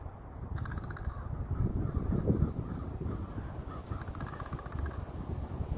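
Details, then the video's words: Crow giving an unusual laughing call amid croaking and rattling. Two brief pulsed rattles, each under a second long, come about three seconds apart over a heavy low rumble of wind. "Crow laughing sound"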